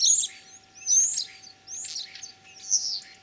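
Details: Common starling in spring song, Kalyazin district, Tver region, 9 April 2023: loud, shrill screeching phrases with high whistled slurs, four harsh bursts within three seconds, close and clear.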